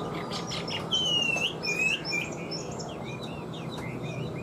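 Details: Chinese hwamei kept as a cage bird, giving a clear, high, sliding whistle followed by a shorter upslurred note and faint warbled fragments over steady background hiss.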